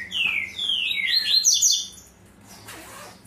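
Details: Caged double-collared seedeater singing: a fast bright phrase of slurred whistles sliding down then climbing into high twittering notes, ending after two seconds, with a faint low hum beneath.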